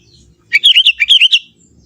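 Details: Young forest sooty-headed bulbul singing in its own natural voice: one quick phrase of about eight liquid, bouncing notes that rise and fall in a rolling run, against a quiet background.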